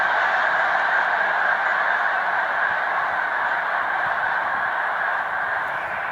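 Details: Massed Snow Geese stopping over on Cayuga Lake, New York, in spring migration, March 2021, produce a thick, constant din of rapid honking. It fades slightly toward the end.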